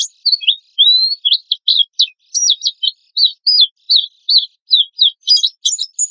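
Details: Rough 'tembakan kasar' lure song of a lively Oriental white-eye: a thin rising whistle opens a series of separate high, down-slurred chirps, evenly spaced, closing in a dense twitter.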